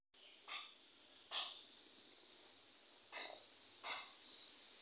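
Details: Male Oriental magpie-robin whistling in India, recorded 20 May 2021 at 1:12 PM near a house: clear, high, slurred whistles that rise then fall, mixed with short rustly chirpy bursts and a steady thin high tone throughout.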